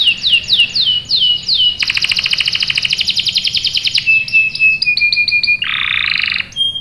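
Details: Canary song used as a lure for other canaries: repeated slurred whistles, a long fast rattling roll, a clear whistled trill and a harsh buzzy section.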